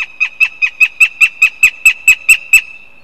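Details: Loud begging calls from a northern goshawk at a live-streamed nest in Riga, Latvia: twelve rapid, ringing, evenly spaced yelps in quick rhythm, then silence, recorded close with a clean background.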